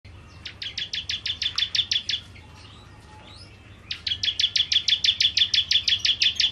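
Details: Bar-winged prinia (ciblek kristal) singing vigorously in the 'nembak' style: rapid, evenly spaced high chipping notes, about seven per second, in two bursts split by a quiet gap with a few faint notes.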